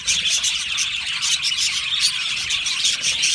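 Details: Budgerigar colony in an aviary, many birds singing and chirping together; quick overlapping high whistled chirps and chattering warbles form a busy, continuous din.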